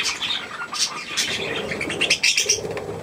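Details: Budgerigars, a mother with young, kept indoors and fed millet; rapid high chirps and twitters overlapping, with wing flutters and a soft lower warble underneath.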